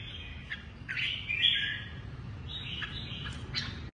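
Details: Red-whiskered bulbul of the Lân Tê type, a kept bird with a shrimp-shaped back and drooping wings, sings a run of bright chirped notes over a noticeable low-frequency hum, ending abruptly.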